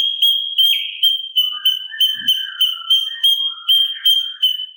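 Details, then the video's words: Sooty-capped babbler, gacor song used to train mimic birds: a sustained high whistle pulsing roughly three times a second, with soft lower warbled notes woven between. "Pancingan Cucak Cungkok Gacor Isian Kasaran Sangat Cocok Untuk Masteran Burung Agar Nembak Sangar"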